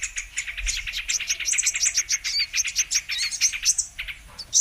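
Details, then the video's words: Trapping lure featuring the brown-throated sunbird, rapid strings of thin, high tsip notes and twittering that fade briefly near the end. "Mp3 Pikat Burung kolibri MANGGAR/KOLIBRI KELAPA"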